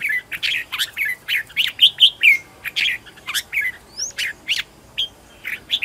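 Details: Competition song of a Red-whiskered bulbul kept as a decoy bird to call in wild birds, practised at home; steady stream of sharp chirps and short slurred whistles, many notes per second with brief gaps.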